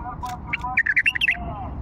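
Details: Old Fawi bulbul phrase: a rapid run of bright whistled notes in the second half, following a few softer lower tones, with a faint hum underneath.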